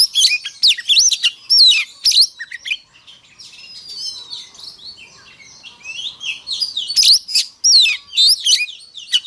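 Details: Oriental magpie-robin morning fighting song for stirring up rivals: quick loud whistled phrases at the start and end, with softer, more distant-sounding twittering between them.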